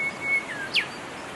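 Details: Wild golden whistler giving a single phrase: a level high whistle that slides downward, followed by a loud, abrupt whip-crack note, against soft background hiss.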